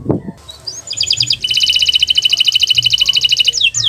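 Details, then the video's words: Canary master song meant to prompt silent canaries to sing: a rising whistle, then a long fast rattling trill of repeated high notes, with a brief low thump at the start. "Masteran Burung Kenari untuk Pancingan Burung Macet Bunyi"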